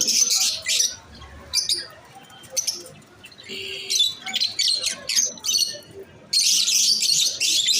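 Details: Masked lovebirds giving scattered shrill, buzzy chirps in short bursts separated by quieter pauses, then breaking into a loud continuous burst of chatter near the end.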